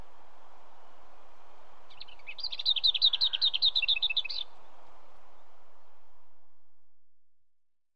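A Lesser Whitethroat gives a dry, rapid rattle of about a dozen notes on one high pitch, lasting two seconds, over a steady low background hum.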